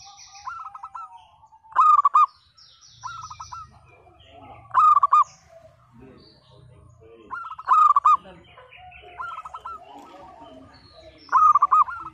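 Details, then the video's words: Singing local zebra dove with a broken-voice style, repeating a bright rolling coo phrase about every three seconds, with soft coos between, meant to coax mute, reluctant birds into song; faint low hum behind. "Perkutut Lokal Gacor Suara PECAH Cocok Untuk Pancingan Yang Bisu Dan Malas Bunyi"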